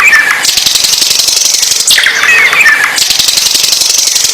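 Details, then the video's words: Energetic bird song, dominated by long rasping buzzy trills broken by a short burst of twittering, chattering notes in the middle, all loud and close. "Burung Paling Gacor"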